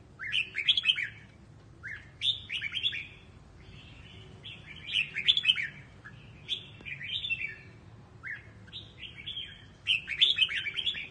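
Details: Red-whiskered bulbul song in the Quảng Trị regional style, used for voice training: bright, bouncy whistled phrases, rising and falling, repeated every couple of seconds over a steady low background hum.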